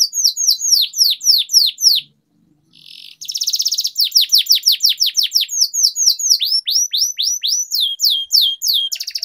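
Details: Canary training song with long rolls: runs of high descending whistles, a brief gap, then a rich buzzy trill followed by more rapid repeated sweeping notes.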